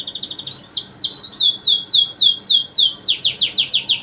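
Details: Male canary in full song while other canaries answer: fast trills of bright descending whistled notes, about three per second, shifting after three seconds into a quicker, higher rolling series.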